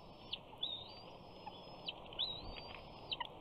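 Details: Young bald eagle on its Big Bear nest, 28 June 2019, begging for fish after its father arrives; two long, thin, high whining screes that climb gently, with soft clicks at the start and end of each.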